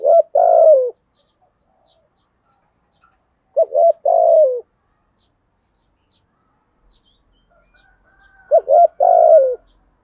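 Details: Spotted dove used as a lure, 'giọng thổ' style: three well-spaced phrases, each a quick stuttered double coo then a longer drawn-out falling coo, with quiet pauses between and faint clicks in the background.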